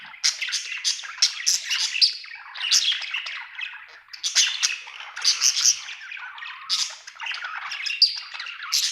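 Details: Budgerigar in good spirits chattering: quick bursts of harsh twittering and bright chirps, each burst lasting under a second, repeated in a lively stream.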